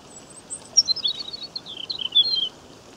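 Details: A European robin at a stream in Great Britain in May 2015 sings a gentle, high, thin, tumbling phrase of quick varied notes lasting about two seconds, over a steady hiss of running water.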